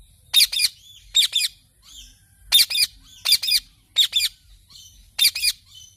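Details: Pet parrot repeating sharp, raspy two-note screeches at irregular intervals of under a second, with soft whistled notes trailing some bursts; background otherwise quiet.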